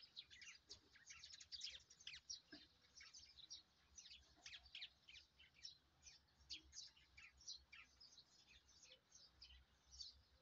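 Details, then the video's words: Birds chirping on a morning in a rice field; many quiet, high, rapid chirps and twitters overlapping continuously, with a faint low rumble beneath. "RELAXING SOUND OF BIRDS CHIRPING"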